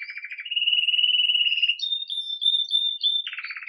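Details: Belgian canary, red agate mosaic, lively at the start of the day, singing the Campainha style, recorded live: a low buzzy pulsed roll, then a smooth steady higher roll, clear whistled notes, and a return to the buzzy low roll.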